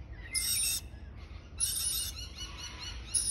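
A young lorikeet gives harsh, hissing, high-pitched chirps in three raspy bursts about a second apart, over low background rumble.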